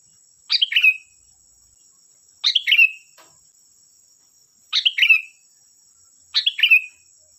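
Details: Lively sooty-headed bulbul song used as a lure for other birds: four repeats of the same bubbly phrase, a sharp burst falling into a short downward whistle, every two seconds or so, over a steady high hum.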